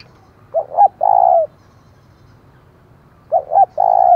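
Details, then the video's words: Decoy spotted dove calling to provoke rival doves: two phrases, each two brief notes followed by a drawn-out steady coo, roughly three seconds apart over a quiet background. "Chim Cu Mồi, tiếng thúc vang cả xóm mở lên kích bổi hiệu quả"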